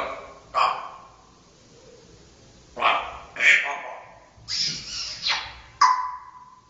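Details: Dutch-bred parrot hatched in 2010 with a very loud voice, giving harsh, raspy squawks in separate bursts, several coming in quick pairs, with quiet gaps between.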